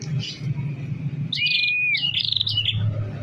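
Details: Tame prinia singing energetically: a clean level whistled note, then bursts of buzzy, sharply rising and falling high chirps, over a low background hum.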